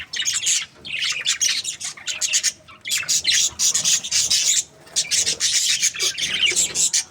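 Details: Budgerigars, a breeding pair kept as parakeets, chirping happily: dense bursts of high, scratchy warbling and squawky chirps, broken by short pauses about every two seconds, with little else in the background.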